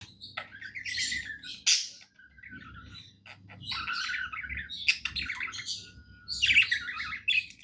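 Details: Pet budgerigar singing happily: a dense chattering warble of buzzy, scratchy notes and short whistles in bursts, with brief pauses between phrases; a faint low hum runs underneath.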